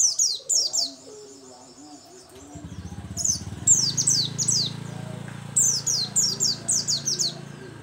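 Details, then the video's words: Oriental white-eye of the local dakun type in full song: series of thin, high, descending slurred whistles repeated rapidly in bursts, with a low droning hum and faint background noise. "Pleci dakun lokal gacor"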